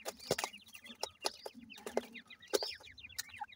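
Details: Captive irani teetar (francolin) chicks being raised, several birds together, giving high, thin peeping chirps that rise and fall, overlapping in quick bursts, with sharp clicks and knocks in the background.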